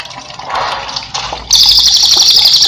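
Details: Cililin used as a master song for cage birds: water splashing and trickling first, then an abrupt, loud, very rapid high trill bursts in and continues to the end.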